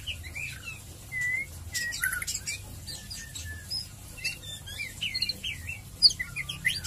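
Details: White-rumped shama singing ngeriwik and ngeplong phrases for a quick lure: varied slurred whistles and short chattering bursts, some loud sharp notes, with low hum beneath.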